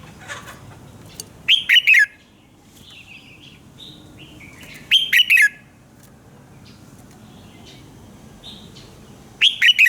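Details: Morning song of a red-whiskered bulbul, used as a training recording for other bulbuls: loud, short whistled phrases of three to four slurred notes, repeated about every three and a half seconds, with soft chirps between over a low hum.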